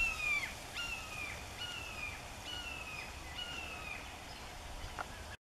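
Red-tailed hawk giving a run of six high, thin, downslurred screeches, each under a second, with a steady low rumble of background noise.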